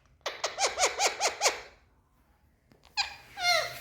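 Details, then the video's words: Indian ringneck parakeets indoors in a room, described as happy. Six rapid arched chirps come in a burst, then a pause, then a loud, shrill, squealing squawk with strong harmonics. "Speaking Parrots🌶So Happy🎊 Indian Ringneck"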